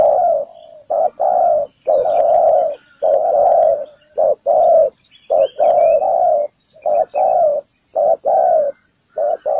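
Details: Spotted dove used as a trap lure, cooing in a long rhythmic series: short low note, then a fuller, longer coo, pattern repeated over and over with brief gaps and faint distant chirping.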